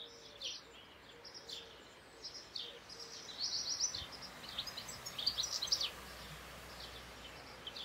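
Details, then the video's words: Singing European goldfinch: a quiet stretch, then a burst of high, scratchy twittered notes in the middle, over steady background noise and a faint low hum. "Tengelic | European goldfinch (Carduelis carduelis) singing"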